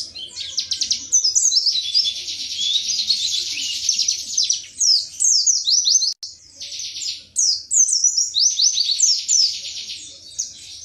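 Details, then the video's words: White-eye from Indonesia in sustained high song, dense twittering trills mixed with quick descending whistled chirps, briefly pausing midway. "Pleci WIKSAR Tembakan MATERI"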